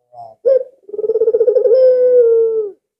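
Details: Very vocal albino Barbary dove used as a lure for other doves: a faint short note, a sharper clipped note, then a long purring coo, rapidly pulsed at first and ending as a steady, gently sinking hum.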